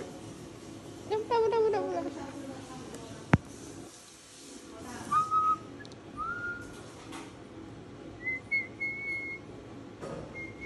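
A cockatoo gives a rough, throaty squawk, then clear whistled notes: one short and rising, others higher and held level. A sharp click and faint voices are heard indoors.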